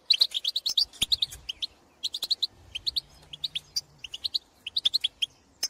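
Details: European goldfinches in the field calling to others of their species: bursts of quick, bright, tinkling notes in rapid runs, separated by short pauses, fairly clean background.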